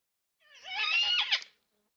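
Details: Yellow-tailed black cockatoo, one of four visiting a backyard bird feeder in NSW, Australia, filmed by a security camera on 20 March 2026. Gives a single loud, drawn-out wailing call of about a second, harmonic and slightly wavering, ending with a sharper upward flick.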